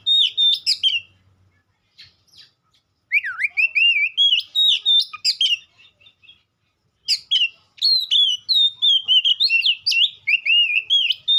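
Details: White-rumped shama song: loud varied whistled phrases with sharp upslurs and rippling trills, sung in three bursts separated by short pauses.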